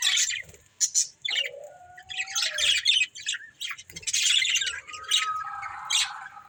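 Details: Budgies of a breeding pair mix squeaky chirps with several long, level whistled notes and gliding tones, separated by short quiet gaps, in a lively warbling exchange.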